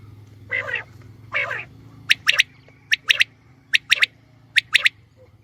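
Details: Female quail, recorded as a hunting call: two rough nasal notes followed by a series of crisp high double and triple clicks repeating about every second, low hum beneath.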